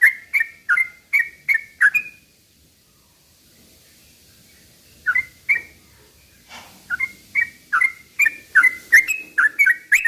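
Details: Sooty-headed bulbul in a slow rapid-fire song used as a lure for other bulbuls; runs of quick liquid whistles, a pause of a few seconds with faint hiss, then the chattering notes resume more densely.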